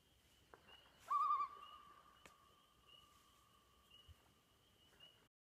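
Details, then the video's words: A common loon on an Adirondack lake gives one long, mournful call that quavers briefly, then holds a steady pitch for about four seconds before fading. The background is quiet. "Loon Calling"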